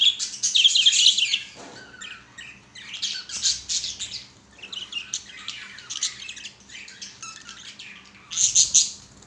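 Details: Pet budgerigars, including a yellow one, play on a swing while warbling: a rapid, scratchy, high-pitched chatter of squeaks and clicks in bursts with brief pauses, over a faint low hum.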